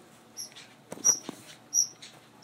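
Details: Baby budgerigar gives thin, very high squeaks, short and repeated about every half second, begging for food.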